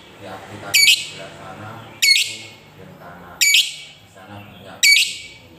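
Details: Lovebird sounds meant to stir quiet lovebirds into song: four loud, harsh, high squawking notes spaced about every 1.4 seconds over a soft low murmur.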